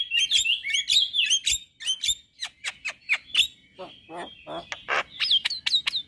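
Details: Song of a male Javan myna with white eyes, said to trigger other mynas to sing: squeaky whistled chirps give way to harsh scratchy rasps and grating notes, then a few high, sharp whistles close the phrase.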